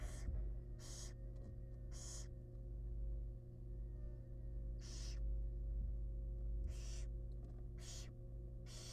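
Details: At a wild barn owl nest box, the father arrives with a large rat for the family; raspy hissing screeches come in irregular bursts of about half a second, with a constant low hum beneath.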